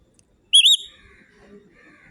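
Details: A single brief parrot whistle, loud and warbling with a wavering rise, followed by soft faint chatter and background murmur.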